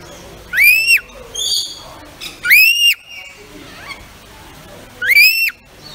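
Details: Pet rainbow lorikeet whistling, repeating a clear arched note that rises, levels and falls, given three times about two seconds apart with quieter buzzy notes between.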